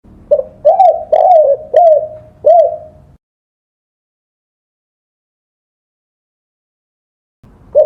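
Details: Spotted dove (tekukur) song meant for training songbirds: five mellow, arched coos in a quick phrase, then a long silence before another phrase begins at the very end.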